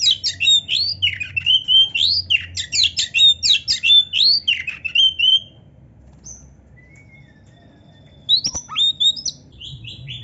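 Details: Kacer (magpie robin) in full varied song for training pet birds: a fast series of rising, scratchy whistled notes about four a second for five seconds, a pause, then a few thin high whistles and one sharp click.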